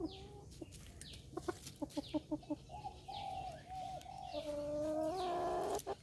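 A pukeko gives a quick run of about eight low, hen-like clucks, then a drawn-out, wavering nasal wail, over a steady background hiss.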